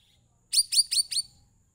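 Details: Sooty-headed bulbul voice meant to lure other birds into singing: four sharp, bright, rapidly repeated chip notes in under a second, preceded by a faint short whistle.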